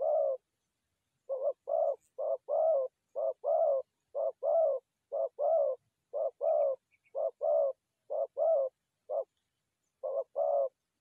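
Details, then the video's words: Forest dove trapping call: a long series of low coo pairs, a clipped note and then a fuller one, repeated evenly for over ten seconds after a brief opening pause. "Good Trap Forest Doves"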